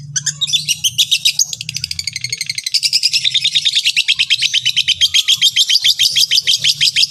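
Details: Long-tailed shrike, a training recording to get other shrikes singing: a dense, rattling chatter that starts tight and buzzy, then loosens into a long run of rapid, scratchy clicks, with intermittent low humming underneath.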